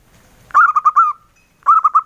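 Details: Engkel-style song of a local male zebra dove, noted as very soft: a phrase of rolling, mellow coos tapering into a drawn-out note, a brief silence, then the next phrase starting with the same quick coos.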